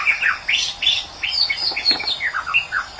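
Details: White-rumped shama from Medan singing a rich, varied song of loud whistled phrases, rising and falling slurs and sharp chips packed closely together, with many notes reaching very high.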